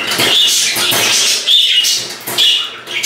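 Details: Indoor pet budgerigar chattering in bursts of scratchy, squeaky notes with a few short whistled tones, delivered in uneven pulses roughly every half second, with soft low rustling beneath.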